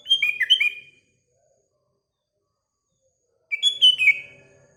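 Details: In the morning a sooty-headed bulbul sings two short, chattering, fluty phrases about three seconds apart, each a quick jumble of rising and dropping notes, with quiet between them.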